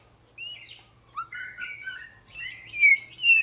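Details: Short Oriental magpie-robin phrase of soft high whistles and slurred notes, growing louder toward the end.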